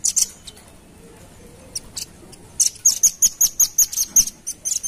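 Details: Velvet-fronted nuthatch lure sound. A couple of isolated high notes and a quiet gap, then an energetic string of about ten sharp, very high chips at a steady, rapid pace.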